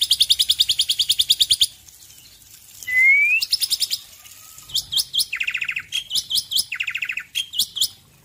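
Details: A male black-winged myna sings in the morning, with water sounds: a fast run of harsh chattering notes, a clear rising whistle, then bursts of scratchy, squeaky phrases repeated several times.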